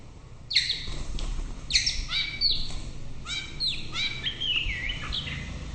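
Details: White-rumped shama singing loudly: crisp high whistles and rapid descending note series in several phrases, ending in a wavering, warbled whistle, with quiet low background noise.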